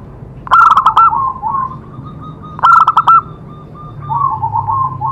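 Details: Perkutut, the zebra dove, singing as therapy for other doves: two punchy bursts of rapid coo notes about two seconds apart, followed by softer warbling coos.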